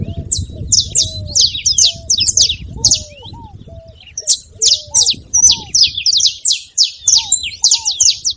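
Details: Two long runs of rapid, sharp, high saffron finch chips separated by a short pause, sung to get a cold canary singing; lower curved whistles and a rumbling background throughout.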